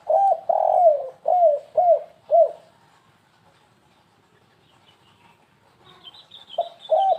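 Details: Stuttering 'kuk3 gagap' coo of a spotted dove, used as a bird lure: five soft coos in quick succession, a quiet gap, thin high chirps from another bird, then two more coos.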